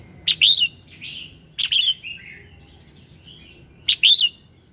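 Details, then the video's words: Red-whiskered bulbul singing at morning, a prompting song: three loud, looping whistled phrases spaced over four seconds, linked by softer descending twitters and faint scattered high notes. "Tiếng Kích Giọng Chào Mào Hót Sáng"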